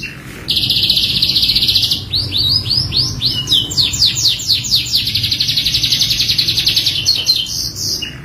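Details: Canary song used as a lure for training other canaries: loud, fast trilled phrases with rapid repeated rising and falling notes, bright and continuous for most of the recording, with a faint low hum beneath.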